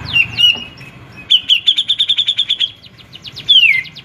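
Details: Grey-cheeked bulbul in full song: a whistled phrase, then a quick even series of about a dozen sharp notes, closing with a falling slurred whistle, clean and loud with little background.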